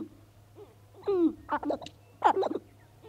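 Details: Sharp-tailed grouse, about 30 males on their lek north of Great Falls, Montana, on an April 4 morning: hollow, hooting coos with falling slurs, then gruff clucking bursts, separated by quiet gaps and a steady low hum.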